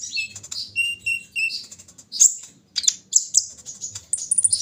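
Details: Morning dew airing of a brown-throated sunbird: thin, high chirps and short whistled slurs, then sharper squeaky bursts and a quick trill at the end, over a faint low background rumble.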